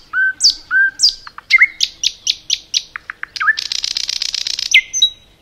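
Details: Common nightingale singing in a forest: paired whistled notes, a run of short repeated chips, then a rapid rattling buzzy trill ending on a clear high whistle.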